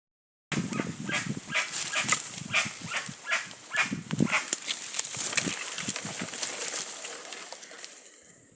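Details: A flock of guans in the wild gives a dense run of harsh, broadband bursts, several per second and uneven in spacing, over a steady high hiss.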